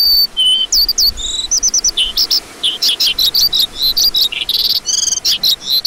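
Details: Lark delivering high, separate chirps and short trilled bursts, some notes repeated in quick groups of three or four, the phrases growing denser toward the end.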